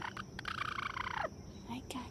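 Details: A Light Brahma bantam hen gives her aerial predator call, one long, drawn-out, strained note that holds steady and then falls away at the end, apparently at a hawk; a woman's soft voice is heard around it.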